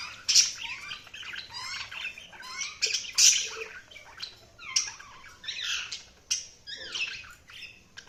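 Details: Budgerigars chirping and chattering: a busy mix of short warbled notes, squawks and rising whistles, bursts roughly every second, mostly high-pitched with brief louder peaks.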